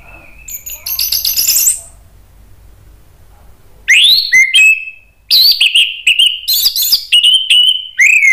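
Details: Orange-headed thrush giving an agitated song meant to provoke other birds into singing: a burst of high, scratchy warbled notes, a pause, then a run of sharp whistles and harsh chips, some notes sliding down.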